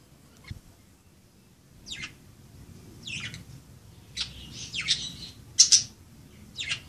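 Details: Playing budgerigars call with a few scattered high chirps that build into quicker, squeaky, buzzy notes, with a low room hum beneath.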